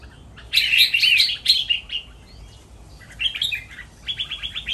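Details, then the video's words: Red-whiskered Bulbul breeding stock, caged at a Thai bulbul breeding farm, singing playfully: a rapid burst of bright twittering notes, a pause, then a run of quick evenly spaced chirps. "พ่อแม่พันธุ์ เสียงร้องเล่น นับดอก แม่บท ลากหวาย"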